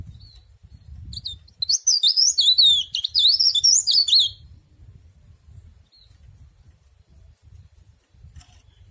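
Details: Ornamental leaf warbler called cikrak daun or tralis sings one brisk phrase of sharp, rapidly alternating high chirps for about three seconds amid faint low background noise.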